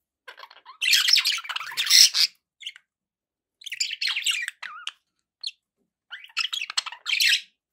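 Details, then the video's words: Pet budgerigars chirping in bursts of bright, buzzy warbles and squeaky twitters, with loud clusters separated by short silences. "budgie sounds with background noise for relaxation"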